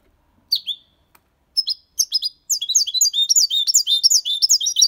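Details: European goldfinch, six months old, singing a clean Malaga copy style song with colios, quejas and adornos; a few sparse high notes, then rapid, continuous twittering of buzzy, high chirps and trills.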